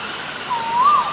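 A male Asian koel gives one clear whistled note, level then gently rising and falling, against a steady rushing hiss.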